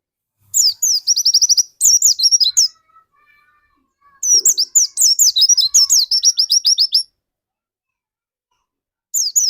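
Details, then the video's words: Vigorous song of a caged dakun white-eye, used to spur other white-eyes into singing: three long bursts of shrill, quick chirps and trilled phrases separated by silences, and a short final burst. "Burung pleci dakun gacor seperti ini yang cocok buat pancingan burung pleci lain agar cepat gacor"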